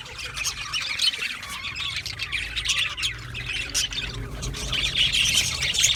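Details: Budgerigars chattering with raspy squawks and warbling chirps, continuous group noise growing slightly louder at the end, faint low rumble beneath.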